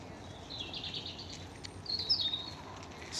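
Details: A European robin sings two short, high, sweet, melodic warbling phrases, each about half a second long, moving from one phrase to the next with a pause between, in a park; steady outdoor hiss underneath.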